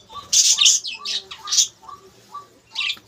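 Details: Colony budgerigars in a breeding setup with eggs in the nests: loud, harsh, high squawks and chirps in quick bursts, then quieter gaps and a final burst, with faint talk behind.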